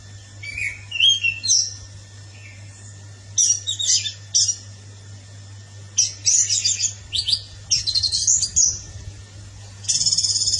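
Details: Orange-headed thrush singing in sharp, high chattering phrases, some with whistled downward slurs, coming in bursts of one to two seconds between quiet gaps, over a constant low hum.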